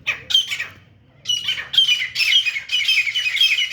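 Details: Grey francolin calling during a fight. Harsh, grating squawks come in rapid, repeated bursts of about two a second, broken by a short pause near the start and then running on almost continuously.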